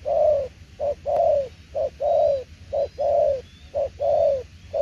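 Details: Spotted dove giving its 'đồng tiểu liên nước' coo: mellow, low notes alternating brief and drawn-out, each long coo falling gently, a pair roughly every second, with faint distant chirping above.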